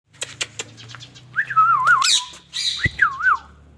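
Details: ['Indian ringneck parakeet, a pet bird indoors, giving a few sharp clicks, then a wavering whistled phrase that rises and falls several times, followed by a second short wavy whistle.']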